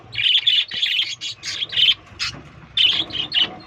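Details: Lovebirds in a breeding colony giving shrill, squeaky chirps in quick clusters, harsh bursts repeated every fraction of a second with short pauses between groups.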